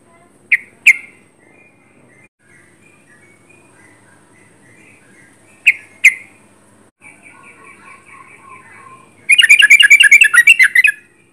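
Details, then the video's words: Sooty-headed bulbul heard close by: a few isolated sharp paired chirps, then a fast rattling run of bright notes near the end. "Trucuk gacor jarak dekat"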